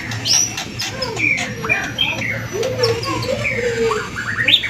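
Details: White-rumped shama song played as a lure to get other birds singing: varied whistles, some sliding low and mellow, others high and sharp, delivered in a loose flowing sequence over a faint hum.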